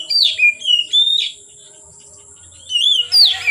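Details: Oriental magpie-robin song from late afternoon to nightfall: two quick runs of loud, clear whistled notes sliding up and down, split by a pause of over a second, with steady background hiss.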